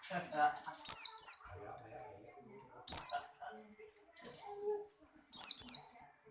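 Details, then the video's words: Strongly breeding Buxtoni white-eye hops and sings paired high, descending chirps, the pairs about two seconds apart, with low murmuring and soft clicks underneath. "burung pleci Buxtoni birahi kencang loncat indah nembak"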